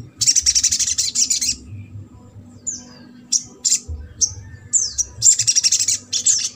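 Ruby-cheeked Sunbird: very high, rapid buzzy trills in bursts of about a second, broken by thin sharp descending notes. Faint low background hum.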